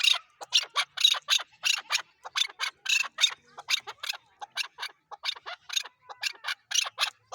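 Chukar partridge giving a long run of harsh, scratchy clucks, about four a second, in a steady ratcheting rhythm; nothing else is heard.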